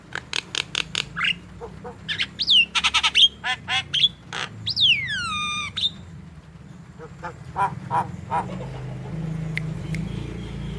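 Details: Javan myna singing actively, recorded as a lure to prompt young or reluctant birds to call: harsh squawks, quick chirps, and long slurred descending whistles with rich overtones, followed by scattered softer notes over a steady low rumble.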